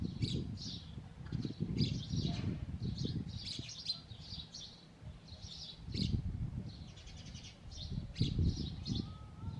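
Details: A male sparrow with two females at the nest keeps up quick, repeated chirps in clusters, set against heavy low-frequency rumbling and noise.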